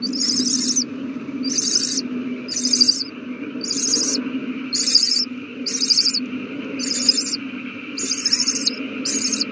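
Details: Owlets eating well during a large feeding on 27 March 2020. Rasping, hissy screeches repeat roughly once a second in even bursts of similar length over a constant background drone.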